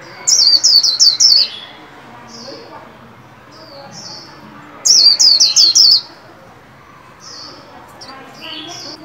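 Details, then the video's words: New year 2021 recording of a caged white-eye being trained, singing 'líu': two rapid strings of five or six shrill, descending chirps roughly four seconds apart, separated by short, thin, high calls. "Vành khuyên líu hay"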